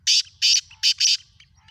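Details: Black francolin calling in the morning on 3 April 2024: four harsh, grating, buzzy notes in quick succession, the third and fourth close together, with a faint low hum beneath.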